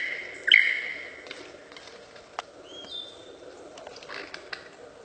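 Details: A loud, sudden piercing whistle from a lyrebird opens the sequence, followed by sparse clicks and snaps, one smooth drawn-out whistle midway, and faint rasping notes against steady background hiss.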